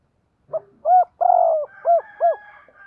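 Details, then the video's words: Caged decoy spotted dove cooing in the morning: a brief note, a clear rounded coo, a long vibrating burred coo, and two short arched coos, over a faint thin background hum. "Tiếng Chim Cu Mồi gáy gọi buổi sáng bổi nghe nhạy gáy"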